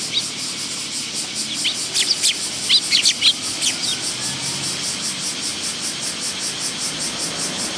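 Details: Willow tits at a feeding spot on a bench at a Tenmangu shrine, recorded 10 August 2022: a short run of thin, high chirps and slurred notes around the middle, over steady faint background hiss.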